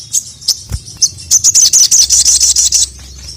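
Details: Crimson sunbird (sogon) calling a male: a few separate high chirps, then a fast even run of bright piercing notes, about three per second, before stopping abruptly.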